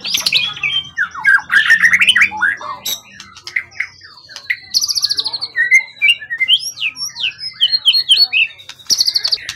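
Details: Forest-caught competition songbird with a tail over 20 cm, long kept and calm, in full voice: rapid bursts of chattering, squeaky notes and sliding whistles, with brief high buzzy trills between phrases.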